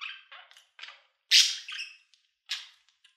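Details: Budgerigar chirps and squeaks in short bursts, one very loud sharp screech in the middle, then softer scratchy notes fading out.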